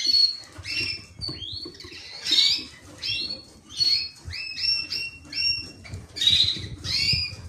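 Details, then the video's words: A creamino canary sings a varied series of high whistles: sliding notes, then several flat repeated tones in a row, then bright rising phrases, with light background rustle. "creamino canary"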